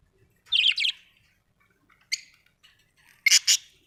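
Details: Budgerigars kept at home, giving a few short, bright, twittering chirps: a double burst early on, a single chirp near the middle, and another loud double chirp at the end.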